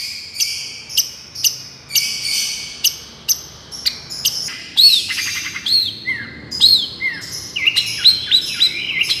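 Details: Long-tailed shrike singing miyik as a therapy recording. Evenly spaced sharp high ticks give way to a lively mix of downslurred whistles and rapid chattering notes.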